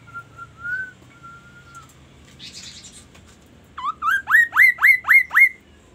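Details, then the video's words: Magpie-robin singing: long steady whistled notes, then a harsh buzzy burst, then a fast run of six loud rising slurred whistles, each with a sharp upward flick, about five per second. Faint low hum underneath. "KASO KASO Berbunyi MURAI"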